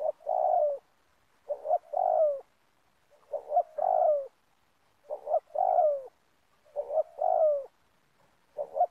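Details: Spotted dove (tekukur) at an oil palm plantation during a bird-luring trip coos in low, mellow phrases: two short notes, then a longer drawn-out coo, repeated about every one and a half seconds.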